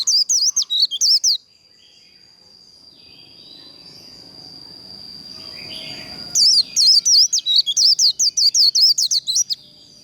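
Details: White-eye performing the líu contest song used to train birds for singing contests: a short burst of rapid high looping whistles, a lull with a steady high tone, then a longer fast run of notes.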